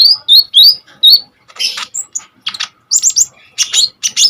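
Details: Common iora in full, lively song, used as a lure and tutor for kolibri ninja birds; opens with four bright repeated whistled slurs, followed by harsher buzzy bursts and sharp high chirps.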